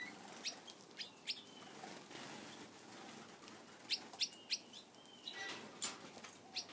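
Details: Several Gouldian finches growing comfortable with their keeper while their favorite food is offered, giving soft, high, short chirps and thin tweets in irregular bursts, some clustered around the fourth to fifth second, with faint rustling and wingbeats between.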